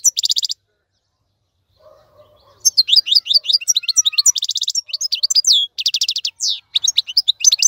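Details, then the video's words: European goldfinch, a kept bird, singing a song used as a model for teaching young birds: bright, rapid twittering phrases of high chirps, buzzy trills and quick up-down notes, starting after a short opening burst and a pause with faint low hums. "افضل مقنين لتسميع الفراخ. مقنين جميل جدا لتعليم الفراخ"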